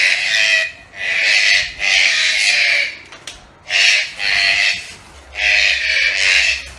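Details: Green-billed toucans kept as pets, also known as red-breasted toucans, producing long hoarse croaking bursts of about a second each, often in close pairs, with short quiet breaks between groups.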